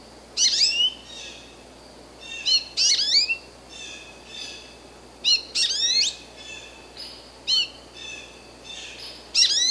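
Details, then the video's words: American goldfinch calling: bright, high chirps in quick clusters, several sweeping downward or upward, with faint thin notes between bursts and quiet background. "Cri du Chardonneret jaune/American Goldfinch Call"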